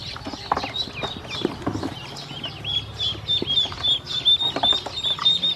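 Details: Hungry domestic ducklings taken by a woman to feed and water, with low rustling and knocking at first, then bright high peeps that grow denser toward the end.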